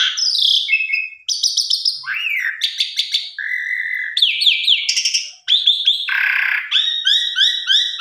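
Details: Asian pied starling song used as a lure to get other birds to sing their full repertoire: a rapid, varied string of clear whistles, rising and falling slurs and buzzy notes, ending in a quick repeated chirping phrase.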